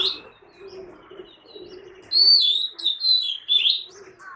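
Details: An Oriental magpie-robin, named as Bangladesh's national bird, sings a run of bright whistled notes that rise and fall in quick linked phrases, with a faint high thin tone and low murmur before them.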